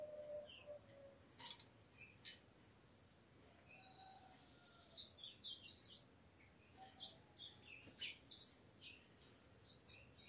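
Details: Three-month-old captive-bred ultramarine grosbeak, very tame, singing indoors: scattered high chirps and short warbled phrases, irregular and fairly quiet, over a hissy background.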